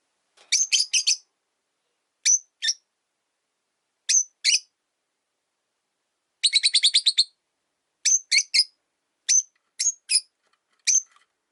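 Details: Three caged Rosy-faced Lovebirds, newly housed together in one cage by a window, with the original blue-white, white-faced bird unhappy about a yellow-faced newcomer: sharp, shrill chirps in pairs and short clusters, with one rapid stuttering burst of about eight notes midway.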